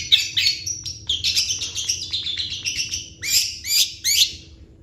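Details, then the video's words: Long-tailed shrike in a rapid, scratchy full song of varied chattering and borrowed notes, ending in three loud, harsh bursts about half a second apart. "CENDET GACOR FULL ISIAN CEPAT DI RESPON PENTET LAIN"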